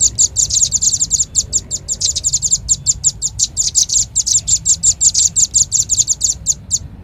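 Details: Velvet-fronted nuthatch (rambatan paruh merah), lure recording: an unbroken stream of shrill, clipped high notes, fast and slightly uneven, running for about seven seconds before stopping abruptly.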